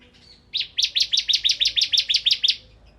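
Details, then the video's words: Bar-winged prinia of the kristal type in full, energetic nembak ngebren song: a brisk string of about a dozen high, sharp, rising-then-falling notes repeated several times per second, clean and loud over faint background hum. "Suara Burung Ciblek Kristal Gacor"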